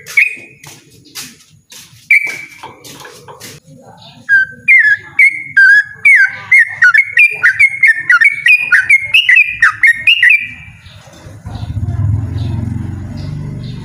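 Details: Yellow-vented bulbul giving a loud, persistent 'ropel' song, a rapid run of bubbly whistled notes climbing slightly in pitch after scattered clicks, ending as a low rushing noise takes over.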